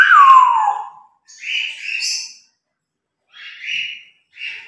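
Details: Morning routine of pet grey parrots: a clear whistle sliding downward opens, followed by three separate raspy, speech-like bursts with gaps of silence between them.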